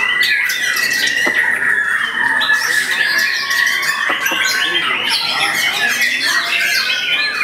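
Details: White-rumped shama (murai batu) in full song, showing a bowing posture and a wide repertoire of imitated material from one spot: dense, fast, bright whistled and buzzy phrases, with a sustained tone running through and sharp clicks.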